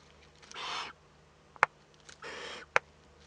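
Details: Eurasian eagle-owl young in a webcam nest, northern Rhineland-Palatinate, Germany, 15 May 2013, during first contact. Two drawn-out breathy hisses are each followed by a crisp click.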